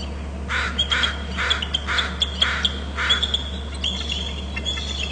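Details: Two bald eagles on Hornby Island, recorded by a nest and territory camera as both fly from low left to lower right while calling: a run of about eight harsh, evenly spaced notes over a thin steady tone, with a constant low hum.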